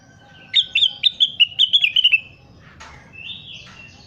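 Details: Crested partridge in full voice for a training recording: around nine quick, bright notes repeated several times a second, then a short burst of noise and a brief rising whistle.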